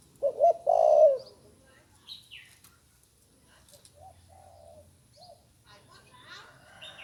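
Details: Young spotted dove, newly learning to call, opens with a loud broken coo: a short note then a drawn hoarse one. Softer coos and scattered high chirps from other birds follow.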